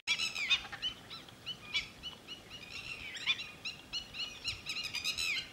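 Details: Red-wattled lapwing calling at Thol bird sanctuary, a continuous run of overlapping sharp, slightly rising notes, somewhat distant, with steady environmental noise underneath.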